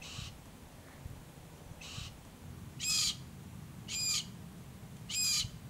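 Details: A south-eastern Glossy Black-Cockatoo at a favoured foraging area on Kings Tableland, Blue Mountains, NSW, Australia, filmed March–October 2022, gives five short, harsh, grating calls, about one every second, over a low background rumble.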